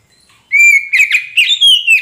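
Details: Oriental magpie-robin of the kacer poci type, a lure song for a bird that has gone quiet: a long steady whistle running into quick chattering notes and ending on a high, sliding whistle.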